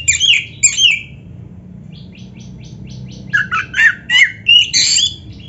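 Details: Oriental magpie-robin song for stimulating caged birds: two loud chattering notes, a soft series of faint high ticks, then strong whistled and scratchy phrases.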